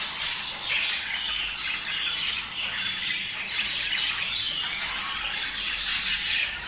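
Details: Budgerigars warbling to stimulate breeding: continuous soft chattering and buzzy squeaks from several birds, with a louder high squeal near the six-second mark.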